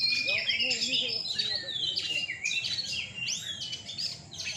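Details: Oriental magpie-robin singing at a night bird-singing contest in Surabaya, with rapid high whistled phrases, slurred sweeps and chirps in a dense, unbroken stream. Murmuring voices and a low hum sit underneath.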